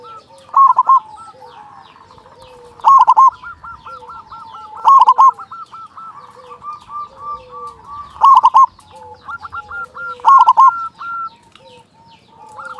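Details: Strong-voiced local zebra dove in full song, played as a lure to arouse quiet or stressed zebra doves and start them singing. Five loud, staccato coo bursts come at uneven intervals. Softer hooked notes run in the background.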